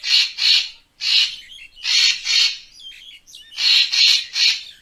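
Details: Loud, coarse paired bursts from a Racket-tailed treepie, used to attract birds for photography. Thinner twittering notes fill the gaps before a final set of three.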